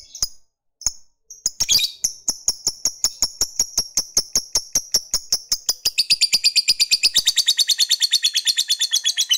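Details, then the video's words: Lovebird fighter giving a ngekek chatter meant to provoke rival males: separate sharp ticks build into a rapid, steady run of shrill high notes, about five per second, that becomes denser and buzzier after six seconds. "Ketikan Labet ini Merangsang Lovebird Fighter Cepat Narik Ngekek"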